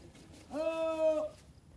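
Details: Pet Irani teetar kept as a companion bird, recorded in breeding season: a single drawn-out, nasal harmonic note lasting under a second, steady in pitch with a slight rise at the start, in a quiet room.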